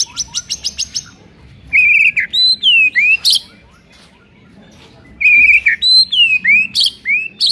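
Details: Shama song meant to rouse a listless bird into song: a rapid buzzy series of high ticks, then loud clear whistles sweeping up and down, pausing, and returning with a similar bright whistled phrase.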